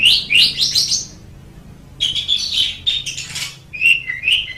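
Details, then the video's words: Asian pied starling song used as a master tutor recording: varied chattering phrases of bright, buzzy and whistled notes, rapid bursts with short pauses, some steady whistled tones near the end. "MASTERAN JALAK SUREN MEMANG SANGAT BAGUS SUARA KICAUNYA"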